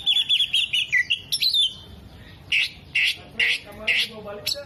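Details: Tail-spreading Oriental magpie-robin imitating hummingbird, bearded bird and lovebird: a rapid wavering whistle falls, then comes a sharp squeak and a slow series of four harsh, buzzy squawks.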